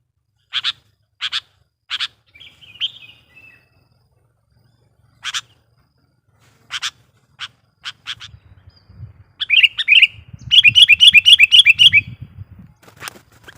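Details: Sooty-headed bulbul lure bird singing to provoke wild bulbuls: separate sharp chirps, a low rustling, then a fast rolling trill of bright repeated notes near the end.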